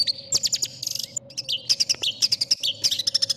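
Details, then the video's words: Long-tailed shrike song for training contest birds: quick varied chips, short whistles and clipped high notes, ending in an even series of sharp repeated pips, with a faint steady hum underneath. "MASTERAN CENDET | suara burung cendet paling di cari juri"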